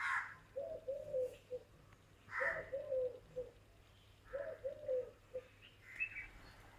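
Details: A male Eurasian collared dove, one of a pair, gives low, hollow three-note coos, two long then one short, repeated about every two seconds, with brief chirps from other birds; very early morning, 6:00am, 8 July 2017, at a home in Bayad, Gujarat, India.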